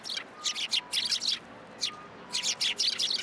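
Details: Several sparrows gathering at a post to be fed, at a Tenmangu shrine, 7 January 2023; rapid bursts of high, harsh chirps in quick clusters, a short pause, then another run of chirps.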